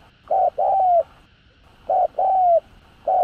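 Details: Spotted dove call of the kind played to stir captive doves into calling: repeated three-part cooing phrases, each a short coo followed by a longer falling coo, about every two seconds with brief pauses between.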